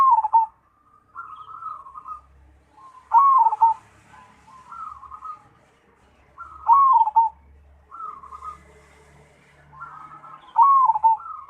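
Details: Cemani zebra dove in active song, delivering loud bubbling cooing phrases about every three and a half seconds, each followed by softer staccato trills; faint low humming in the background.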